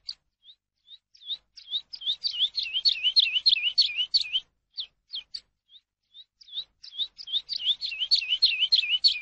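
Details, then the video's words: Eurasian skylark, song recorded to train captive birds: scattered high chirps build into bursts of fast, swooping, buzzy notes, break off into a few isolated calls, then a second dense burst follows. "ALONDRA COMÚN AVE; CANTO PARA ENSEÑAR"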